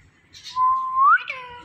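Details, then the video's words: Indian ringneck parrot, kept as a pet and imitating speech, gives a single long level whistle that sweeps upward at the end and breaks into a brief harsher note. "Talking Indian Ringneck Parrot"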